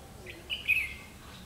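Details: Red-whiskered bulbul with fiery eye-rim, caught on tape during trapping, 31 October 2016: one brief, bright two-part chirp, a short note followed by a louder slurred one, against quiet background hiss.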